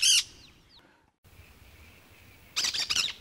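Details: A harsh squawk from a cactus parakeet opens, then after a quiet hiss a rapid cluster of three or four grating screeches follows.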